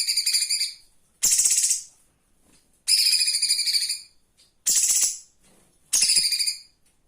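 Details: Flowerpecker as a live master for training cage birds: high, scratchy pulsed trills alternating with harsher, noisier bursts, five phrases roughly a second each, spaced by brief silences.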